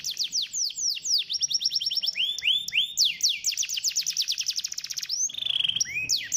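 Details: Canary song for stimulating a lazy canary: varied phrases mixing fast chip trills, looping whistled arcs and a brief steady whistle near the end.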